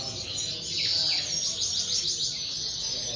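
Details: Brief burst of common linnet song from an aviary, a high, tangled twittering with quick rising and falling chirps over faint background hum.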